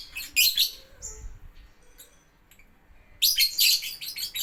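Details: Lovebird in a bird playground setting, giving bursts of high, harsh chirps and buzzy notes at the start and again after a quiet gap near the end.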